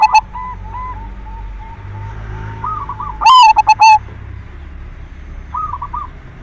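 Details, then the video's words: Silver zebra dove singing as a lure to stimulate other doves. One loud stuttering burst of coos stands out from a quiet background of distant soft cooing. "Perkutut silver gacor SUARA PANCINGAN cocok buat merangsang BIRAHI BUNYI"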